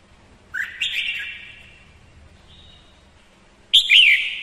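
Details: A female red-whiskered bulbul sings as a decoy to stir males, giving two bright, bubbly whistled phrases about three seconds apart, with a faint thin note between them.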